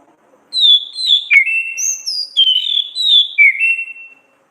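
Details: Orange-headed thrush song in the ngeplong gacor ngriwik style, used as a tutor recording for songbirds: a string of clear high whistled notes, some sliding down and some level, grouped in quick phrases, with a quiet background.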